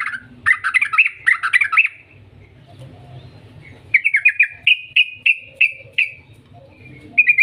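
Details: Yellow-vented bulbul lure song in the sustained 'ngetir' style: a bubbly, warbling burst, a quiet pause, then a string of separate quick slurred chirps repeated about every third of a second, with a soft low background hum.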